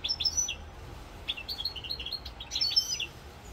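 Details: A European goldfinch in Corsica, recorded on 7 November 2022, sings a fast, liquid run of tinkling twitters and high buzzy notes in bursts, with a faint low rumble of background noise.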